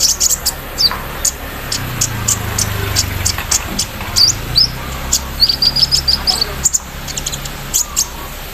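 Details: Caged Van Hasselt's sunbird set out in the morning dew, singing hard with mimicked embroidery-machine sounds: thin high chirps and short whistled notes, a quick run of sharp repeated notes near the middle, over a low vehicle rumble.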